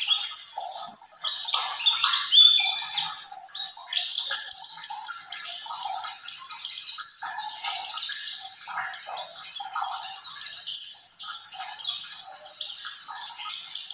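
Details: Mountain white-eye in ngerol song: a long, unbroken stream of fast, high, descending chirps and trills, densely packed and rolling on without pause.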